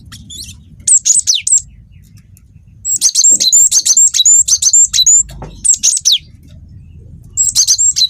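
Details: Young Wingko cinereous tit singing a long rolling song used to lure other birds; bright whistled phrases, then a sustained run of fast, evenly repeated sharp notes for about two seconds before further short phrases.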